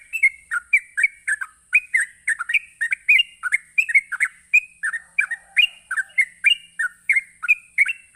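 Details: Provocative rapid 'ropelan' song of a sooty-headed bulbul, used to draw replies from other bulbuls: bright, bubbly whistled notes tumbling in quick succession, rising and falling in pitch, continuous across the stretch, with a constant faint high hiss.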